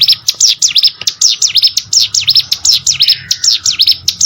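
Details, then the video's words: High, insistent prinia song from rice fields, rapid swooping chirps dropping and rising again, repeated in an even, continuous chain with faint low background noise. "burung ciblek sawah"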